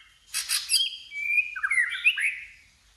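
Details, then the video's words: Shama singing in a fighting contest, a short phrase opening with a harsh burst of noisy notes, then a smooth level whistle gliding into quick rising and falling warbled notes. "Chòe Lửa Hót Đấu ĐÂP TẠCH LIÊN TỤC kích bổi căng lửa/kích thích chòe lửa hót đấu"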